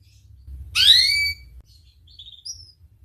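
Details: Canary on a tutoring recording meant to get silent or young canaries singing: one strong rising whistled note followed by a few faint high chirps and a short thin whistle.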